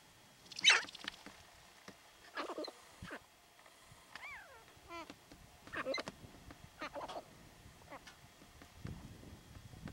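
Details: Grouse, believed to be sharp-tailed grouse being territorial, Theodore Roosevelt National Park North Unit, 10 June 2017: a varied run of harsh clucks, cackles and short falling hoots, one burst every second or two, over faint hiss.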